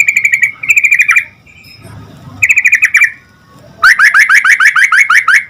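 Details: Yellow-vented bulbul lure song meant to draw quick answers from other bulbuls. Rapid bubbly notes come in short phrases, then a pause, then a long run of loud, evenly repeated chirps at about three per second.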